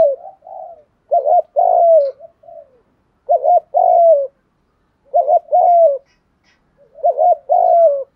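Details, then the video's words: Spotted dove lure cooing, used to draw other doves: four phrases, each a quick doubled note followed by a longer, level-then-falling coo, spaced about two seconds apart with softer lead-in notes and quiet gaps. "tiếng chim cu gáy kích bổi nhanh nổi rất hiệu quả/ tiếng chim cu gáy mồi gáy giọng hay nhất"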